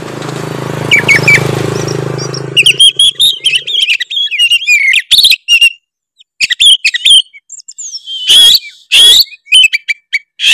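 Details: Tretes-type oriental magpie-robin song meant to goad rival birds into singing: a low steady hum and a few whistles open, then rapid high slurred whistles and harsh bursts in separate phrases.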